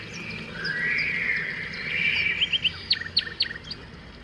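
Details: Great spotted woodpecker giving sharp, high clicking notes in a quick run of about four per second, preceded by a thin whistled sound, with a soft outdoor background.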